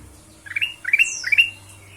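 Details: Ruby-throated bulbul lure sound for getting other birds to sing: three rising whistled notes, each sweeping up and holding briefly, with a thin high descending whistle overlapping the middle.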